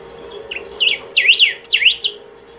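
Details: Long unbroken singing by a saffron finch, to call or train birds: soft lead-in notes build into two loud, rapid swooping whistles that dart up and down.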